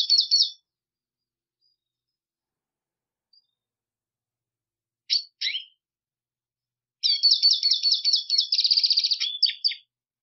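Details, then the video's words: Black siskin giving a brief twitter, two sharp downslurred chips, and then a long, fast, buzzy trilled song phrase lasting nearly three seconds. "Negrillo Boliviano! Llamado! Sonido! Cantando! - Black Siskin Song - Spinus Atratus"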